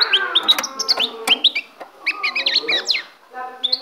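European goldfinch singing a fast, tinkling run of high twittered and liquid notes, bright and jumbled with brief pauses.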